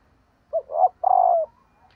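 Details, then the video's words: A hen dove calls to stimulate males, giving a brief low note, a swelling second note and a long, even, slightly falling coo. "Tiếng Chim Cu Mái kích Trống Hiệu Quả/ tiếng chim Cu Mái"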